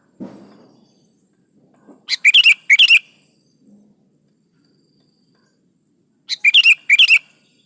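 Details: Sooty-headed bulbul singing vigorously, a recording meant to prompt caged bulbuls to answer and sing: two quick bubbly phrases of four loud notes, about four seconds apart, with soft low thuds between.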